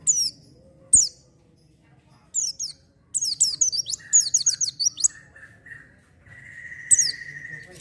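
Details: Oriental white-eye in 'gacor' lure singing for untrained birds: scattered high chirps and short bursts of rapid shrill twittering, broken by pauses, with a steady mid-pitched whistle-like tone held in the later part.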